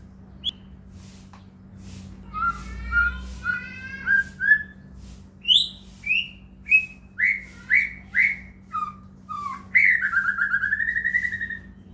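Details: White-rumped shama lure song meant to prompt other shamas to sing: a quick warbled run, then a regular series of clear whistled notes about every half second, ending in a long wavering trill, with a constant low hum.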